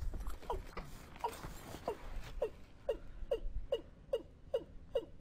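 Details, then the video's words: Watercock call used as a lure for trapping; a series of deep, hollow, booming notes dropping slightly in pitch, repeated about twice per second and growing steadier, over low background rumble. "ต่อนกอีลุ้มหมานๆ ชุดต่อเสียงหมานขึ้นเร็ว"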